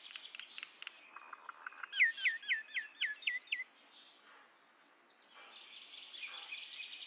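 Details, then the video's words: Common myna, an open woodland bird adapted to urban areas: clicks and varied notes, then a run of five loud, sharp, downslurred whistled notes in quick succession, followed by softer harsh chattering. "Common Myna Sound ! Common Myna Song ! Common Myna Call ! Common Myna Vocal ! Common Myna Voice"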